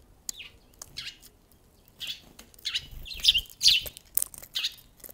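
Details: Wild sparrow visiting on 13 February, the first to arrive that day, giving bright high chirps in irregular bursts, some sharp and descending, with light wing flutters between notes.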